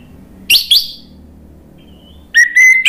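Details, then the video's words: Orange-headed thrush singing in gacor ngeplong style, used to prompt other birds to reply: a quick pair of high, dropping chirps, a pause, then a sustained flat whistle followed by bright clipped notes. "PANCINGAN ANIS MERAH biar ikut NYAUT jadi BUNYI GACOR NGEPLONG"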